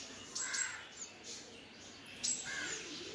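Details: Sunbird nestlings begging for food while their parents feed them give two short bursts of harsh, high, raspy calls about two seconds apart, with faint background hiss between.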